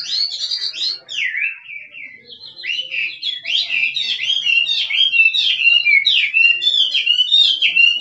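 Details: Wild forest Chinese hwamei in full song: varied loud whistled phrases, sweeping down then climbing, some trilled notes, delivered continuously and strongly across eight seconds against a clean, quiet background.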